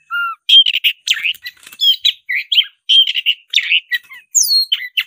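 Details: White-rumped shama, the black-breasted form, singing in fighting mood: a fast, varied run of loud whistles, sharp chips and rattling notes, ending with high, descending slurred whistles.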